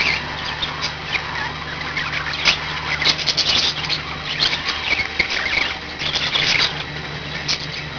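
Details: A group of five pet budgerigars twitters in a steady scratchy chatter with occasional brighter whistled chirps, accompanied by a low continuous hum.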